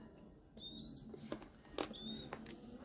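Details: Pigeon chick begging for regurgitated food: two sharp, high squeals, the first drawn out and dipping at its end, with a quiet tap and a brief word of human speech.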